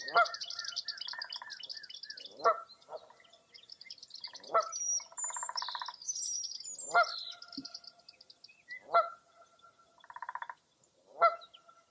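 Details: Several birds call together on a foggy April morning at Mirror Lake State Park, Baraboo, Wisconsin: a dense high trilling and chirping background, with a loud honk about every two seconds and short buzzy rattles between them.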